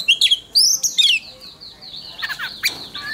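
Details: Oriental magpie-robin practising its contest song: several loud, quick whistled notes slurring up and down open the passage, followed by softer, rapid twittering against a faint background hiss.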